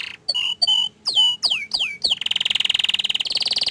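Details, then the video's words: Canary singing: a few loud downward-sweeping whistled notes, then a fast, even, buzzy trill of rapidly repeated high notes. "Suara Kicauan nya Mantul Sekali tapi Sayang Kenari ini Malu Menunjukan Wajahnya"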